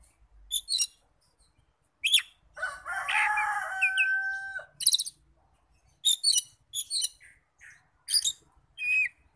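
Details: Oriental magpie-robin singing to provoke rival magpie-robins to respond: sharp high notes open, then a long drawn-out crowing-like call in the middle, followed by clusters of bright chirps and brief whistles.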